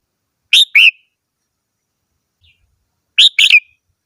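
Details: Red-whiskered bulbul with two loud whistled phrases, the first a pair of slurred notes, the second a quicker three-note flourish, separated by more than two seconds of quiet.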